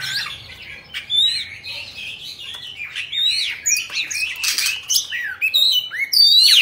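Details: Singing Oriental magpie-robin in a cage, tail spread, pouring out a continuous jumble of high chattering notes, squeaks and slurred whistles, growing louder toward the end.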